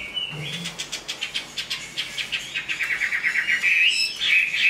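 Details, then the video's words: Big-framed Chinese hwamei, good at singing and fighting, completing its new feathers. A fast, even series of short repeated notes runs several per second, climbing gently in pitch toward a louder ending. "Họa mi bộ to hót tốt đấu tốt"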